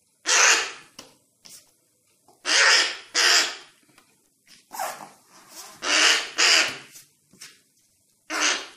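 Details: A crow fledgling found fallen from the nest, hungry and being hand-fed, calls repeatedly with harsh, raspy caws, often in pairs, about a dozen over nearly nine seconds.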